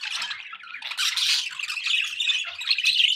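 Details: Budgerigars kept as pets in continuous warbling chatter, rapid scratchy notes and squeaks run together with a few clearer whistled chirps toward the end.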